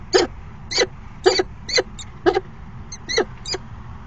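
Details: Falcon pair at a nest box on an afternoon of 29 September 2016, the female arriving briefly for a courtship dance; short harmonic chipping notes repeated about every half second, nine in total, over a low background hum.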